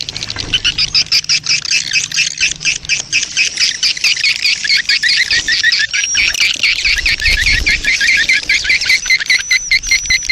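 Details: Swiftlet colony lure calls: a dense, continuous chorus of buzzy, rasping chirps with thin high whistles near the end and low background hum.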